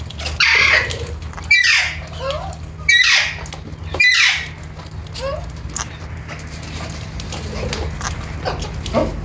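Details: Alexandrine parakeet (Psittacula eupatria): four harsh, loud squawks about every second and a half, mixed with softer sliding whistled notes, then quieter chatter over a low hum.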